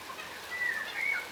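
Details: Yellow rosellas, a subspecies of crimson rosella, feeding on the ground; one gives two soft, clear whistled notes, the first gently falling, the second level then dipping, over a steady patter like light rain.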